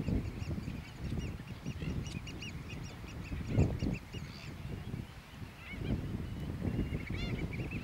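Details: Black-billed gulls in New Zealand taking off and landing, giving repeated harsh, nasal calls that rise and fall. Several birds call at once, over steady low wind rumble.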